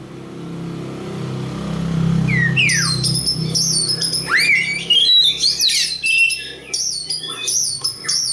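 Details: East Java local Oriental magpie-robin beginning after a low rumbling background: two descending whistles, then an increasingly lively stretch of high chirps, slurred whistles and twittering phrases.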